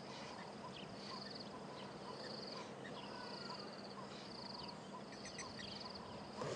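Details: Red-billed Buffalo Weaver chicks keep up a near-constant, steady high chittering, thin buzzy trills repeating every second or so, from a nest a few metres up a tree above a waterhole camera at Djuma/Arathusa on a December 30, 2014 morning; adults nearby; low rumble, distant voices.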